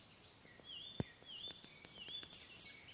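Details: Singing Icterine warbler recorded at Pälkäne Salmentaka on 12 June 2017. Clear, drawn-out whistled slurs that dip and rise, mixed with high chirps, interrupted by several sharp clicks and one louder knock.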